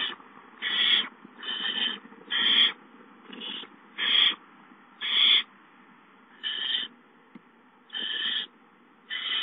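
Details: Barn owl owlets hissing as an adult brings a mouse, recorded 19 April 2013: harsh, breathy, noise-like hisses in short bursts, about eleven in under ten seconds, irregularly spaced with brief quiet gaps between.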